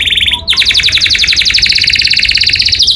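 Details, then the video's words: Canary in morning song delivering a rapid, buzzy, pulsing trill after a brief break, the notes repeated quickly and evenly, over a faint low background hum. "O SOM DOS CANÁRIOS FAZ OUTRA EMOÇÃO DOS CANÁRIOS E ALEGRIA A VOZ DA MANHÃ"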